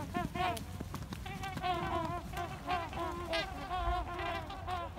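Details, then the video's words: Trumpeter swans in a heated discussion, a steady stream of overlapping nasal honks with wavering pitch, plus a few sharp clicks and knocks and a low rumble underneath. "Trumpeter Swans are having a heated discussion"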